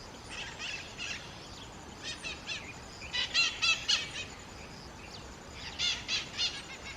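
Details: Black-throated mango, Atlantic Forest: scattered groups of rasping, buzzy chip notes, two at first, then a denser cluster of five or six, a pause, and another short run of harsh chips.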